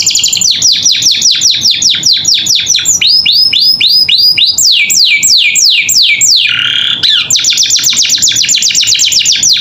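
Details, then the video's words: Long gacor filler sequence from a caged canary, used to tutor young birds: rapid downslurred whistles shifting into curled upswept notes and broad sweeps, a brief buzz, then fast falling notes again. "Masteran Kenari Gacor Isian Cocok Buat Paud Belajar Bunyi"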